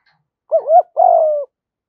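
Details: One spotted dove phrase from a calling male and female pair, used to spur training birds: a smooth, wavering double coo rising and dipping, then a long, slightly falling, throaty note lasting about half a second.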